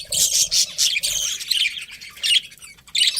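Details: A breeding pair of pet budgies gives loud scratchy squawks and warbled chirps in quick bursts, roughly a burst every half second.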